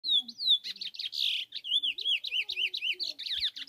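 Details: Chestnut-bellied seed-finch (curió) on a farm by a river, 5 March 2022, described as catching a brown (pardo) bird. It gives a fast run of high whistled, slurred notes and rising-falling chirps, nearly continuous, over faint low voices.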